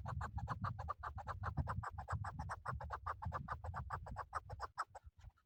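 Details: Male chukar partridge call used in hunting, a fast, even train of sharp chucking notes repeated over two per second, unbroken for about five seconds and then stopping abruptly, with a constant low rumble underneath.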